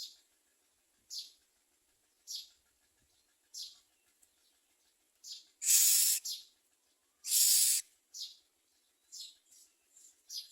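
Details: Common myna adults feeding nestlings to their young; repeated short high hissing calls about every second, interrupted by two loud broadband rasping bursts.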